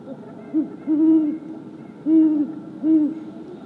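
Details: Wild male great horned owl in woods on January 28, 2022, perched high in a tree: a short low hoot, then three longer, deep, even hoots about a second apart, over a steady background hum.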